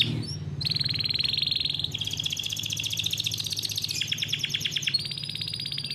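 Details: Captive-bred canary singing a long rolling song, kept as a training model for young canaries: sustained rapid rolls and buzzy trills shifting pitch every second or two, over a steady low hum.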